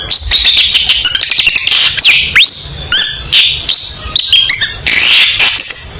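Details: Long-tailed shrike in full competition-style song, used as training material for other songbirds: a dense, rapid run of varied high notes, sharp rising and falling whistled sweeps, and harsh buzzy bursts, nearly continuous and loud throughout.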